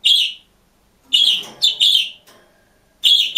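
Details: Budgerigar alone in a cage, singing and chirping: bright, buzzy high chirps in short bursts, one single note, then a cluster of three, a pause, and another chirp near the end, with a faint low murmur beneath.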